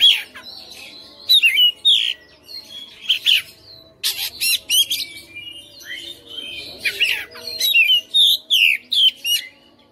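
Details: Caged white-rumped shama, a home-raised fighter, singing a long mixed sequence of sharp clicks, rattles and swooping whistles in dense repeated bursts over ten seconds.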